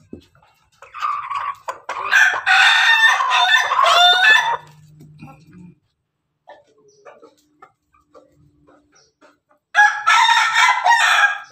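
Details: An Ayam Ketawa rooster seen in the morning gives its long, broken, laughing crow, a rapid stuttering run of harsh notes; chicken (Gallus gallus domesticus), crow.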